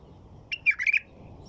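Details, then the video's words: One short burst of white-eared bulbul song: a clipped lead-in note followed by three or four gurgling, whistled syllables in a tight run. "تغريد بلبل طور"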